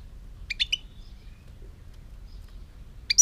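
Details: European goldfinch singing, recorded in 2018: a quick cluster of three bright, high twittering notes with a thin trailing whistle, a long pause, then another short high burst at the end over a quiet low hum.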